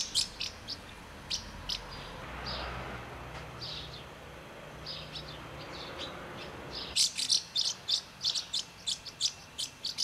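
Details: House martins feeding young at Přerov-Kozlovice, Czech Republic; a low hum and a few chirps at first, then a rapid run of sharp high twittering notes in quick succession over the last three seconds.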